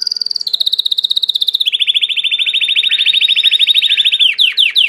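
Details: Song of a Belgian canary, a domestic canary, built from a chain of rapid rolling trills. Each stays level and steps lower in pitch, ending in a few quick downward-sweeping notes.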